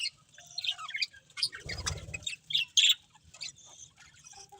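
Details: Scattered sharp budgerigar chirps and short warbled notes from a breeding pair and family, separated by quiet gaps, with a faint low rustle near two seconds.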